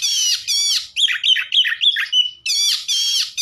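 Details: Oriental magpie-robin song used to excite other magpie-robins: buzzy harmonic rasps open and close a quick series of clear whistled notes, about three per second.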